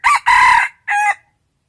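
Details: Wild rooster crowing, a short, loud, harmonic crow in three bursts with a brief gap before the last, clean background.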